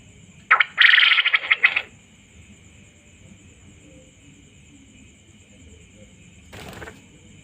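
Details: Male quail calling: one rough, buzzy burst of quick pulses near the start lasting over a second, then a long pause and a shorter noisy burst near the end, over a constant high electronic hum.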